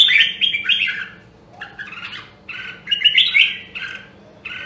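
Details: A Nam Đông Huế red-whiskered bulbul, rare voice used for training: quick whistled, slurred phrases opening loud, a pause, then softer and louder warbled notes in steady groups.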